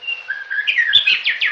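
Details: A male white-rumped shama in a research-centre nest box in the Bavarian woods sings clear, high whistles proclaiming his territory, steady notes giving way to sliding, swooping phrases, ending in two quick downward sweeps.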